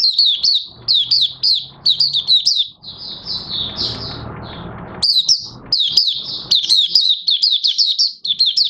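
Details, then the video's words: Mata Puteh Raja, the Oriental white-eye, a captive bird beginning to sing on 30 August 2022 while its new white plumage finishes colouring. Sharp high chirps repeat rapidly, then a softer warbled stretch over rushing noise before the brisk chirping resumes. "Mata Puteh Raja Buka Sing"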